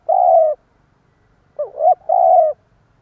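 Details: Spotted dove giving the stuttering coo used as a decoy to provoke other doves: a long steady coo, a pause, then two quick wavering notes running straight into another long coo.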